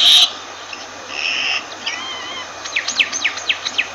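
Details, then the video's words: Myna giving a short burst of harsh noise, a few thin whistled notes and a wavering tone, then a quick run of sharp descending chirps repeated about every quarter second. "Myna Bird sound Voice"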